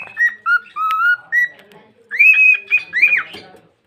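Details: Whistled phrase from a pet cockatiel: a few short even notes, then a gliding upward slur, then a brighter run of higher sustained whistles ending in a quick downward sweep.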